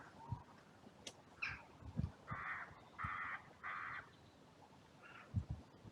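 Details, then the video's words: Crows calling at a cemetery on a sunny day, during an outcry after two crows fought and others rushed in; three loud harsh caws in a row about half a second apart, a few fainter calls, and low knocking sounds. "Crows and Crow Sounds"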